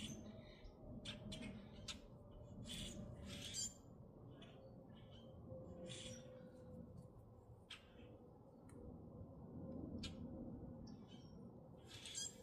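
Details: Several grackles in Minnesota giving harsh, rasping squawks and squeaky chacks at an irregular pace, over a steady low rumble of wind or distant traffic.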